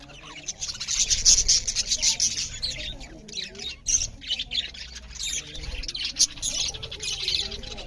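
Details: Loud budgerigar chatter while eating; rapid, raspy, squawking chirps pour out almost nonstop in rough bursts, mixed with high squeaky notes.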